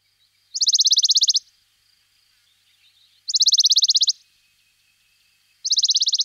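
A Western Bonelli's Warbler sings three dry, rattling trills on one high pitch, each under a second long of about a dozen quick notes, repeated every few seconds.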